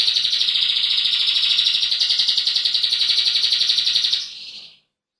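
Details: Male roller canary singing one steady, rapidly pulsed rolling trill at high pitch, about four notes a second, held evenly for some four seconds before fading out to silence.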